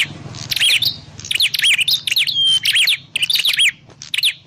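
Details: Prinia call for luring birds into traps: clusters of bright, high chirps with hooked up-down sweeps and one drawn-out whistle, over a faint low hum.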